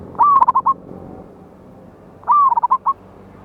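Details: Wild local zebra dove, a loud-voiced bird used as a lure for trapping, recorded 11/8/24: two cooing phrases, each a long slurred note followed by four short clipped coos, about two seconds apart over faint background hum.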